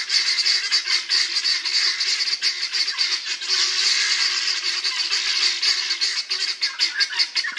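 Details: Helmeted guineafowl, a group of them in an old English churchyard in Northamptonshire, giving a dense, continuous chorus of harsh, grating cackles that overlap almost without pause, rising and falling in loudness throughout.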